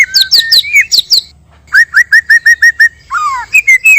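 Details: White-rumped shama, male and female, natural recording used as a trapping lure: quick high slurred notes, then a run of about eight identical down-slurred whistles, closing with a long falling whistle and a few clear notes.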